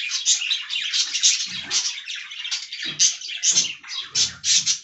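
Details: Aviary budgerigars eating fresh green leaves; pulsing high warble of squeaky chirps in bursts, with several soft low rustling and pecking sounds scattered through.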